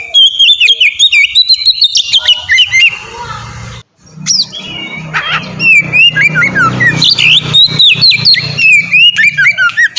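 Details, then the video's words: Oriental magpie-robin in melodious ngeplong song, a lure for training birds: dense, fast whistled phrases with sharp upsweeps and warbled trills, cut by a brief silence, over a steady low hum. "suara burung kacer ngeplong merdu"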